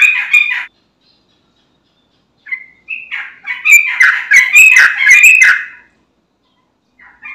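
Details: Sooty-headed bulbul lure song: a short chattering burst, a pause, then a few rising notes building into a loud run of bubbly, clicking phrases, with a faint trailing note at the end.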